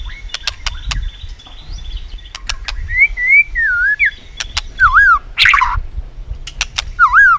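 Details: White-rumped shama stimulated into competitive singing, clicking continuously and flicking its tail: sharp dry clicks scattered throughout, then looping whistled phrases sliding between low and mid pitch, with a burst of buzzy notes in between.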